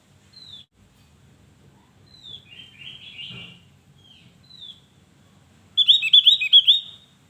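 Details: Javan grey-throated white-eye: soft, high, down-slurred whistles and a quiet warbled phrase, then a sudden loud burst of quick, bubbly, chattering notes near the end.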